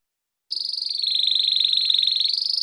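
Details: A canary's fast, high rolling trill: a steady stream of rapid pulses held at one pitch, dipping slightly midway before rising again. The long song is meant for teaching young and adult canaries.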